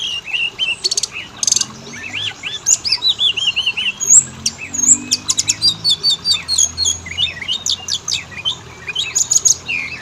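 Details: Oriental magpie-robin song used as a lure to make males and females sing: fast varied chips, curling whistles and high rattled bursts, continuous throughout.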